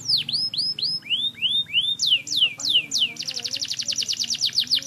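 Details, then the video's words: Canary song in the semi wiper style: a series of curved, swooping whistles, first bowl-shaped then falling, gives way to a rapid rattling trill of short bright notes near the end. "Burung Kenari af gacor prospek semi wiper"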